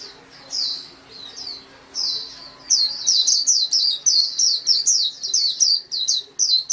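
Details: Scattered high chirps from a white-eye build into a fast, sustained chatter of bright downward-sweeping notes, about three per second.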